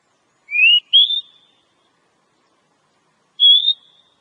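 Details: Wild Oriental magpie-robin singing two rising whistled notes in quick succession, then after a pause a single longer upslurred whistle, pure and clear against silence.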